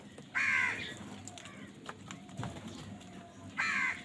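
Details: Crows fighting for food; a loud, harsh, nasal caw opens, fainter calls and clicks follow, and another caw ends the stretch.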